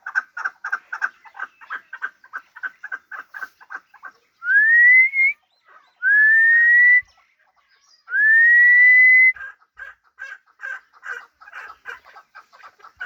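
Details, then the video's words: Long-tailed hybrid fighting partridge giving rapid repeated chuck notes, broken by three long rising whistles, after which the clucking series resumes. "Кабки Гибрид"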